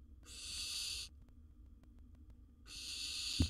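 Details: Wild nest-box barn owl swallowing large prey: two long, airy hisses roughly two seconds apart, near silence between, a sharp knock at the end.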